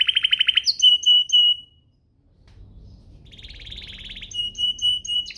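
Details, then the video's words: Singing canary used as a lure for other canaries: a rapid trill, then steady whistled notes, a brief pause, and a softer rattling trill leading into more whistles. "Pancingan kenari biar gacor"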